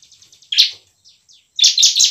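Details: Emotional ciblek lure song from a bar-winged prinia: a soft run of rapid faint ticks, one loud rasping chirp, weak notes, then a burst of three strong buzzy chirps.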